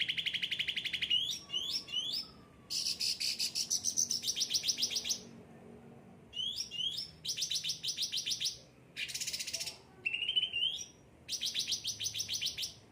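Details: Cucak ranting, a pampered, well-cared-for kept bird, in full song: bursts of rapid chattering trills near mid pitch alternate with higher, buzzier trilled phrases, separated by short pauses.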